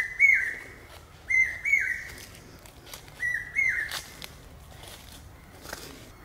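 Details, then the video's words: Brain fever bird (common hawk-cuckoo) giving its pi-peeah call: three loud whistled phrases roughly a second or more apart, each holding a high tone then dropping, with faint clicks in between. "Common Hawk-Cuckoo calling...pi-peeah...pi-peeah...pi-peeah... (പേക്കുയിൽ കിഴക്കേ വാ....)"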